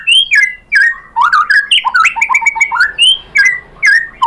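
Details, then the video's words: Singing white-rumped shama, used to provoke other shamas to respond: rich varied whistled phrases, slurred notes dropping and rising, with short sharp clicks mixed between. "SUARA MURAI BATU bikin NYAUT jadi EMOSI GACOR BONGKAR ISIAN ¦ PANCINGAN MURAI ¦ SHAMA BIRD"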